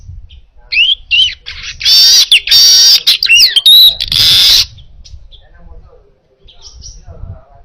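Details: Weaver singing clearly as a training recording: a few twanging whistled notes, then loud harsh wheezing buzzes broken by quick chatter, fading to quiet chips at the end.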